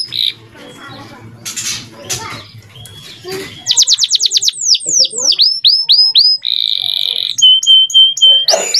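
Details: Tutor song of a male canary for training young canaries. After a few seconds of faint background noise, clear downslurred notes repeat quickly, then long level whistles and short bright phrases follow.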